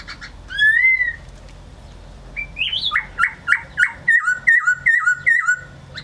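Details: Laughingthrush singing loud whistled phrases. It opens with one clear rising whistle. After a pause come a short climbing phrase and a run of about eight similar falling whistled notes in quick succession. Faint background hum.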